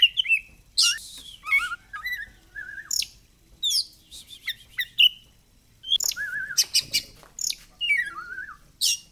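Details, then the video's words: Oriental magpie-robin song played as a lure to make the bird open its tail: rich, varied phrases mixing wavering whistles, descending trills and harsh buzzy notes, delivered in rapid bursts with brief gaps. "PANCINGAN BURUNG KACER BIAR BUKA EKOR"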